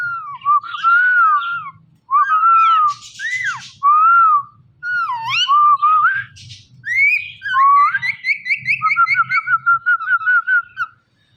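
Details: Talking rose-ringed parakeet kept as a pet, giving a long string of warbling, wavering whistles with upslurs and downslurs, ending in a quick series of short repeated chirps over a faint low hum.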